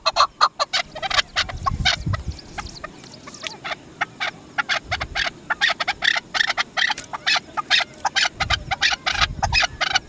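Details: Chukar partridge, locally Dasi chakor, calling in bursts of sharp chuk notes, broken at first, then a dense quick series in the second half, over low rumbling thumps.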